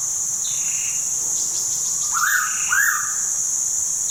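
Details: Pitta recorded at Tha Pom, Krabi, Thailand, giving a clear double whistle, two short rising-falling notes in quick succession, with faint higher bird whistles and a steady insect hiss behind.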